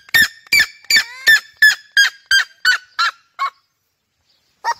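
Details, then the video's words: Red-legged seriema song: a series of about ten loud, sharp yelps that gradually soften and drop in pitch. After a second of silence, one lone lower note follows. "O canto da Seriema"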